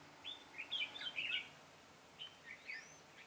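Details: Red-whiskered bulbul kept as a decoy, singing to attract wild birds while trapping on 22 September 2017: a dense cluster of high, bubbly warbled notes in the first second and a half, then a few separate chirps and a rising whistle.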